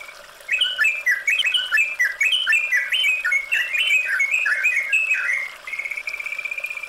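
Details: Yellow-vented bulbul song from a training recording meant to bring a bird into full song, mixed with flowing water: fast, bubbly phrases of warbled, slurred notes that rise and fall, ending in a steady repeated whistled note over a constant watery hum.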